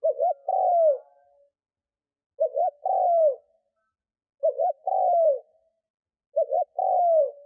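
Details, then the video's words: Decoy spotted dove cooing to lure wild doves. Four steady phrases, each a rapid two-part wavering note leading into a longer mellow coo that drops in pitch, spaced roughly two seconds apart. "Tiếng cu mồi thúc gù gáy kích bổi cực nhạy / Tiếng chim cu gáy kích bổi nhanh nổi mới"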